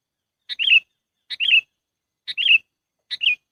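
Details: Sooty-headed bulbul calls played as a trapping lure: four brisk, chattering phrases in quick succession, each opening with a sharp clipped note and ending in a bright warbled flourish, against silence.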